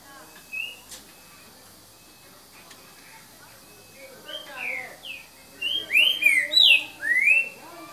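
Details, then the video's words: Green-winged saltator singing in the "boca mole" song style at 7:38 in the evening on 3 January 2019: a soft whistled note, then loud rich slurred phrases, rising and falling, in a quick run near the end. "CANTO BOCA MOLE - TRINCA FERRO"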